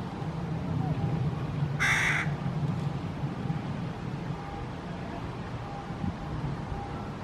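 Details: Hooded crow (Corvus corone cornix) fledgling standing on the ground in Helsinki, Finland, June 2018: one short, harsh, rasping call, with steady low traffic hum; another fledgling is reported calling in the background.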